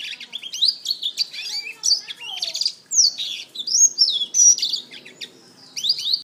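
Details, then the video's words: Black-throated canary, an African serin related to the canary, kept caged, singing a continuous rapid warble of varied high twittering notes, trills and short slurred whistles with brief pauses; faint low murmur in the background. "Burung Blackthroat: Kicauan Indah dari Afrika"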